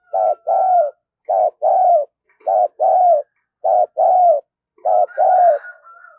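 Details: Decoy spotted dove cooing vigorously: five paired phrases of a clipped hoarse note then a longer throaty coo, evenly repeated about once a second, with a faint distant crowing in the background.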